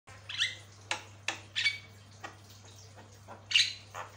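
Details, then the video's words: Javan myna (jalak kebo) in a long-duration master recording, singing a loose string of harsh, squawky, rasping notes, some with a thin whistled edge, over a low steady electrical hum. "Paling gacor, jalak kebo master"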